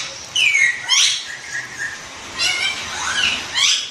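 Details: Green parrot kept as a pet imitating human speech, giving drawn-out, speech-like syllables that slide downward, soft murmured bits between them, and bright rising squawky phrases near the end.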